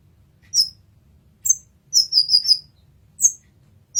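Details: Masteran recording of a brown-throated sunbird: spaced, shrill, high-pitched chirps with a fast cluster of four sliding notes in the middle; low steady hum in the background.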